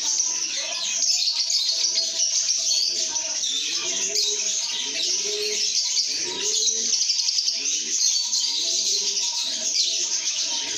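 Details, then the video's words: Happy lovebirds chatter and whistle nonstop, a thick layer of high squeaky notes, accompanied by low arched coos repeated about every second and faint steady tonal notes. "lovebirds singing & chirping sounds"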